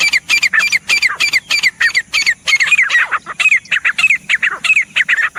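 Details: Grey Francolin (teetar) calling loudly in a fast, harsh series of grating, rising-and-falling notes, almost continuous for five seconds, each note quickly following the last.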